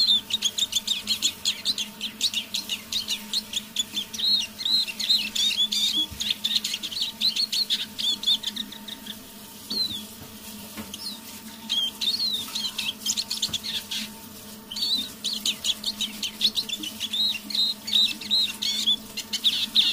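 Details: A hand-tame pet Eurasian siskin singing in the evening at half voice gives a fast, soft twittering song of high chirps and buzzy trills.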